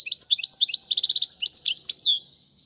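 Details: Goldfinch song meant for tutoring young birds, a quick run of sharp twittering notes leading into a brief fast trill, then slurred chirps fading out after two seconds.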